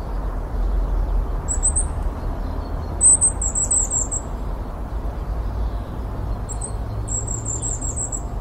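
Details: Goldcrest recorded wild: two very high, thin, rapidly repeated phrases, each starting with a short note then a quick descending ripple, separated by a pause, against low steady background rumble.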